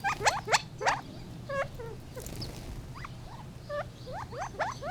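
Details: Gambel's quail calling: short chirps and clucks, some rising and some falling, scattered irregularly through the clip, with a steady low hum underneath.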